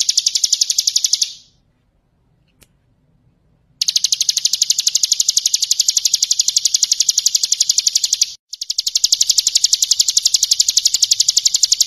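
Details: Rapid, machine-steady ngebren trill from a bar-winged prinia, a tutoring song for other birds, running in long phrases broken by one pause of about two seconds and a brief gap.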